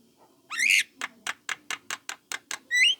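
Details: Young Javan myna calling as a lure to make other mynas respond: a long harsh rising squeal, eight evenly spaced dry chack notes, and a final rising whistled squeal.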